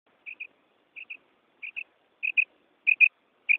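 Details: A female common quail calls in a recording used for hunting, morning and night. She gives paired short high chirps, a double note repeated about every two-thirds of a second and growing louder, with no other sounds.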